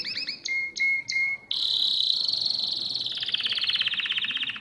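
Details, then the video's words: Domestic canary song recorded for teaching young birds to sing: a few repeated chirps with a steady whistled tone, then a long rapid high trill that slowly falls in pitch. "اسطوانة تغريد الكناري الاصلي لتعليم الفراخ Chant Canari"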